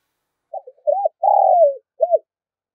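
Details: Spotted dove call used to draw in wild birds: a single phrase of two short hooked notes, a long drawn-out falling coo, then one brief closing note, clear and isolated.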